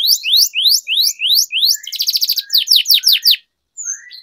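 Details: Domestic canary song used as training for young birds, long rolling style: rising swept whistles repeated about three per second, then a fast buzzy roll and sharp downslurred notes, ending in a short pause and soft notes.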